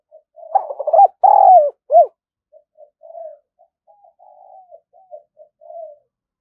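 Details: Eager decoy spotted dove, kept for luring wild doves, gives a burst of loud, throaty, rolling coos, then a quieter run of short, soft coo notes repeated irregularly.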